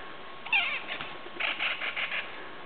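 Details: A Magellanic woodpecker from a family group gives a nasal, falling squeal, then a quick run of five harsh squawks over about a second. Recorded in Valle del Challhuaco near San Carlos de Bariloche, Northern Patagonia.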